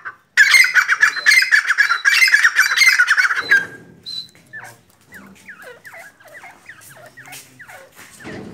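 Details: Black francolin, known locally as Sindhi or kala teetar: a loud, harsh, rapidly pulsed grating call for about three seconds, then fainter, quick, sliding chirps from other small birds over a quiet background.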